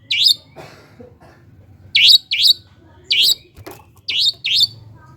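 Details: Long-tailed shrike lure call for provoking reluctant singers: harsh, falling chirps in close doublets spaced by gaps of around a second, faint hum underneath.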